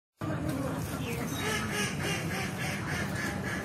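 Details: Many native ducks moving through water, calling "pack pack": a steady run of rapid, overlapping nasal quacks, several each second, over a constant watery background rush.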